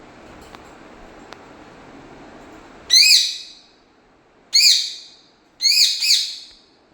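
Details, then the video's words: Pet parrot in Kerala, India, said to talk Malayalam, gives three loud bursts after a quiet start: sharp arched, squawk-like syllables, the last a doubled one, spaced about one and a half seconds apart. "parrot Talking"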